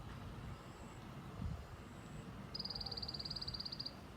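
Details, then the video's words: White-eye uttering a tành tạch call: after a stretch of low rumbling noise, a single high, rapid run of dry ticks lasting over a second. "Tiếng chim sâu lác ( tành tạch )"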